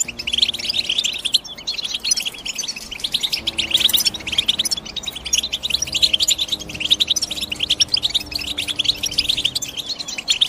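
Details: European goldfinch twittering steadily, a rapid stream of bright, tinkling chirps and short trills that flows on for the whole stretch, with one brief harsher burst midway and a soft background hum.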